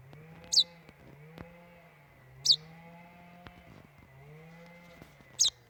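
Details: Common chaffinch fledgling at a doorstep under ferns on a warm summer evening around half past eight, 16 July 2020: three short, high, falling chirps about two and a half seconds apart over a steady low droning hum.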